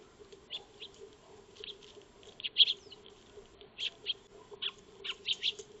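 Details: Eurasian tree sparrows feeding in a backyard, captured by a solar-powered motion-triggered wildlife camera: short bright chirps scattered irregularly, some in quick pairs, over a steady low hum.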